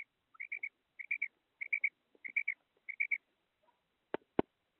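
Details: Female quail, the kirk of the made batair: high, clipped triple notes in tight bursts, five bursts about two-thirds of a second apart, then a short pause and two sharp clicks against a quiet background.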